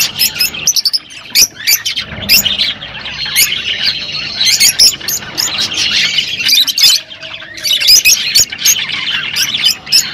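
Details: Rosy-faced and Fischer's lovebirds chirping together to encourage mating: dense, overlapping high, shrill chirps and squawky chatter in continuous bursts, with brief pauses between flurries and a soft low rumble in the background.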